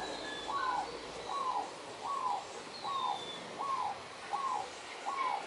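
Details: Zebra dove flirting, one bird restlessly following another and calling for attention: evenly spaced, slightly downslurred cooing notes roughly every 0.7 seconds, with thin high whistles from other birds against hiss.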